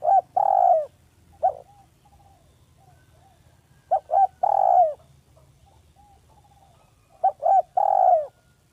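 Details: Spotted dove from a village, recorded as a trusted lure call: three repeated phrases, each of one or two short coos and a long mellow coo that droops at its end, roughly every three seconds.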